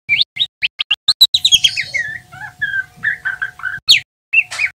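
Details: Juvenile male white-rumped shama, still spotted, learning to sing with ngeriwik twitters. Quick staccato chips speed up into a falling whistle, then a set of mellow slurred notes, a sharp rising note, and a closing buzzy phrase.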